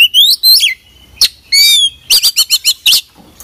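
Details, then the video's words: Oriental magpie-robin (kacer) in vigorous, full song with mimicry fill-ins: loud clear rising whistles, a buzzy sliding phrase, then a fast series of sharp staccato notes, with faint low hum behind. "kacer gacor full isian"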